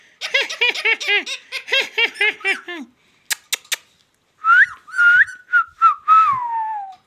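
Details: Ringneck parrot known for talking gives a rapid laugh-like series of arched notes, a few sharp clicks, then speech-like gliding whistled syllables ending in a falling tone.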